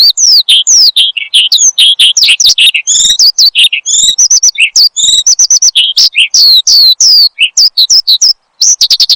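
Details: Horsfield's bushlark singing nonstop for cage-bird training. A lively mix of slurred whistles, buzzy trills and quick chirps, with one short pause near the end.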